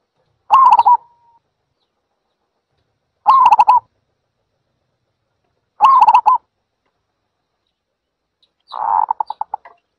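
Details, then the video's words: Zebra dove repeating its brief trilled cooing phrase four times over ten seconds, roughly every two and a half seconds. The final phrase breaks into looser, stuttering pulses, and the background is quiet. "សំលេងលលកដី Zebra Dove"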